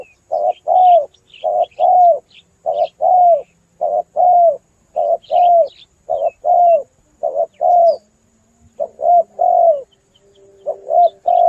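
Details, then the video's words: Spotted dove call played as a hunting lure to bring doves near: a long run of two-part coos, a short hooting note and a longer descending one, repeated roughly every second, with faint thin bird chirps above. "SUARA BURUNG TEKUKUR PALING AMPUH,DI JAMIN MENDEKAT"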